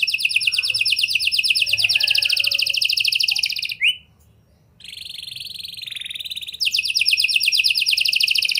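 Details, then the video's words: Canary song to stimulate young birds: long high rapid trill, a brief upward sweep and pause, then a lower wavering roll and a return to the fast high trill. "Kenari Gacor Angkatan Gacor! Efektif Buat Memancing Kenari Paud Agar Cepet Rajin Bunyi & Ngeplong"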